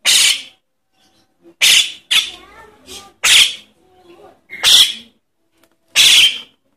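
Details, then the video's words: A Javan myna chick begs with harsh, hissing rasps, six bursts in about seven seconds, with faint softer chatter between; a recording used as a lure to attract wild adult Javan mynas. "Suara anak jalak kebo untuk pikat burung jalak kebo indukan"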